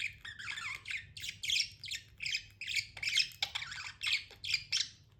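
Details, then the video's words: Tamed budgerigar giving raspy, squawky chirps in a steady series about three per second, each harsh and buzzy, over a light low hum. "budgie chirping sounds"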